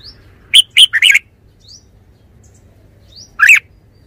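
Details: Red-whiskered bulbul giving a quick run of three clear chirped notes, then a pause and a single louder rolling note near the end, over a low background hum.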